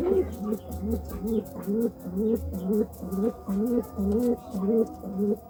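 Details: Courting pigeon repeating short, hooting coo phrases about twice a second, each a low note with a slight upward bend, steady and even throughout, over a faint background hum.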